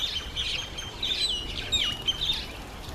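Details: Red-faced mousebird on its first visit to a birdbath: high, thin whistled notes, some held level and some sliding downward, run together in a busy, overlapping stream for three seconds over soft outdoor background noise.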